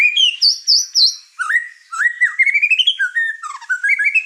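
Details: White-rumped shama in an over-excited state, its song stirring up the other birds in the house; rich whistled phrases, a high wavering opening followed by rising slurred notes that climb in steps, varied and loud.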